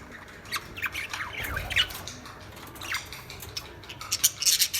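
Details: Lovebirds chirping: scattered squeaky chips and short slurred squeals, growing into a faster cluster of shrill notes toward the end.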